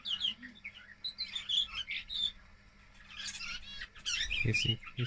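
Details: Two-month-old young male canary kept as a pet, just beginning to sing after training with recorded songs: varied chirpy twittering phrases, high trills and warbles, with a few lower clicks and some overlapping background chirps.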